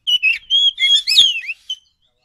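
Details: A brief run of a forest Oriental magpie-robin's lure song: rapid connected whistles, a long steady note and a sweeping falling slur, ending with a single short chirp.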